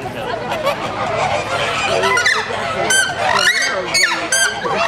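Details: Crested screamers screeching in the Christmas season: loud, harsh, honking calls with rising and falling harmonic sweeps, several overlapping, strongest bursts near the end of the clip.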